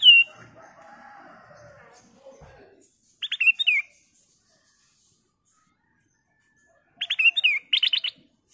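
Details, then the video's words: Golden-coloured sooty-headed bulbul, a constant singer with a crystal-clear voice, used as a lure to prompt other birds to sing: two bursts of rapid, bubbly, whistled notes separated by a few seconds of silence, with a faint low rustle at the start. "Burung Kutilang Emas Gacor suara kristal Cocok buat Pancingan"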